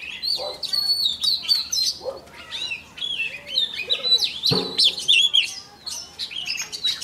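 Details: Oriental magpie-robin decoy singing its morning training song to excite other birds; varied whistled bursts and chattering trills, with a single dull knock midway.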